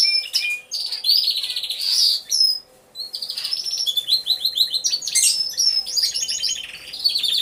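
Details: Hidden-camera recording of an aviary of canaries, all singing: sustained rolling trills and bright whistled phrases overlap continuously, with a short lull before the chorus swells again.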